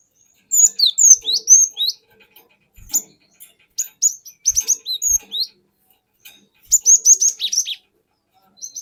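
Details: Cinereous tit taken from the forest, sung to draw in other birds: three bursts of fast, high chirping and downslurred whistled notes, each phrase rolling on for about a second.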